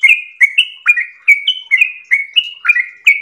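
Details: Clear whistled notes from a yellow-vented bulbul in long 'ropel' song: short bright phrases, some dipping then leveling, spaced about every half second in a lively rhythm.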